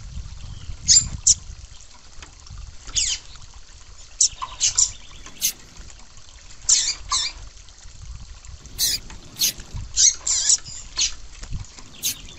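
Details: A female yellow-bellied seedeater (papa-capim) gives short, high chips and squeaky notes in irregular bursts of one to three, over a faint hiss. The female call is used to excite captive males into singing.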